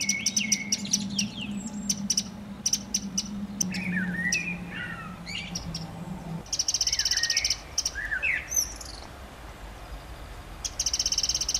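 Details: Mistle thrush family, two parents with three juveniles, visiting a garden over about two months; sharp dry ticks and short rattling bursts mixed with high chirps, in irregular clusters, over a steady low hum in the first half.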